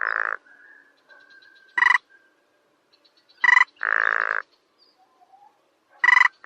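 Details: Grunts and tapping from a sparrow-sized rail of grassy wetlands: broad buzzy grunts alternate with sharp pulsed rattles, and long, thin squealing whistles run between the louder notes. No other sounds are present.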